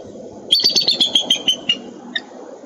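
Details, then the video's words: Minnesota eagles calling on 13 April 2013, one bright series of about ten quick, high, squeaky notes that gradually slow and drop in pitch, followed by a single faint note over steady low hum. "MN Bound Eagles 4-13-13 Vocalizations"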